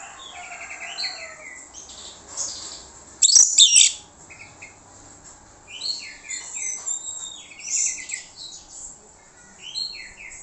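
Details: Orange-headed thrush singing as a lure for other birds to respond, a quiet rambling stream of varied short whistled and trilled phrases with one loud rasping burst in the middle, soft background hiss.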